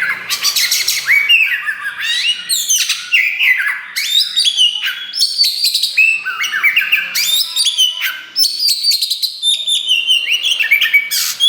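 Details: Kacer wulung, the black Oriental magpie-robin, in full energetic song meant to stir rival birds: a continuous stream of whistled notes, upslurs and buzzy chattering bursts, almost without pause.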